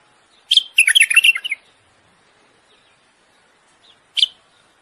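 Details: A common bulbul singing a mating song to stimulate a female gives one quick, bubbly, chattering phrase of about a second, then a single bright note three seconds later; otherwise quiet.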